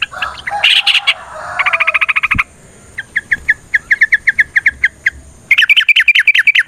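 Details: Yellow-vented bulbul in lively fighting-style song with long trills, used as a lure to make other bulbuls sing and answer: bursts of bright chattering notes, then a run of evenly spaced sharp chirps and a fast rippling ending.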